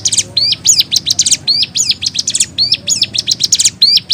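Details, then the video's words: Ciblek gunung in energetic, varied song: quick, high, thin chirps alternating with bent whistled notes that dip and rise, about three per second, over a quiet low rumble. "Burung Ciblek Gunung GACOR Variasi UNIQUE"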